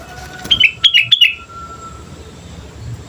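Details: Sooty-headed bulbul in full song, used as a lure for other birds: one phrase of three or four quick, slurred whistled notes, each dropping slightly in pitch, with a faint steady tone and a low background hum.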